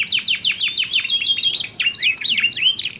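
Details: Two canaries calling back and forth in song, with differing voice colours; fast repeated descending notes about three per second, overlapping a thin whistle, ending in jumbled looping phrases.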